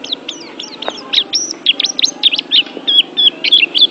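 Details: Oriental white-eye song aimed at training pet birds: hurried high twitters and sharp looping whistled notes, about three per second, over a faint steady hum.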